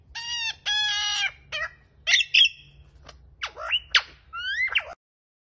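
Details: A wild lyrebird at Kinglake, Victoria, near Masons Falls on 5 June 2020 sings a loud, fast-changing medley of possibly mimicked sounds: rich harmonic squawks, sharp whistles, and upward and downward sweeps, with brief pauses.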